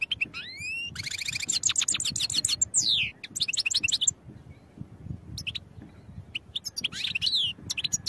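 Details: Goldfinch singing a training song: rapid liquid twitters, rising slurred whistles and fast trilled runs, with a short gap before more chattering phrases; faint low hum underneath.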